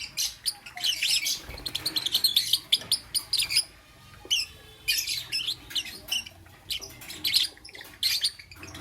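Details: Lovebirds in the morning: bursts of shrill, high chirps and squeaky twitters, clustered densely in the first half, then coming in spaced groups of sharp notes with short pauses between them.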